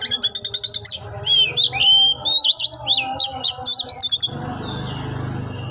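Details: Captive-bred Oriental magpie-robin: a quick series of repeated chirps, then looping, rising-and-falling whistled phrases, ending with a low hum.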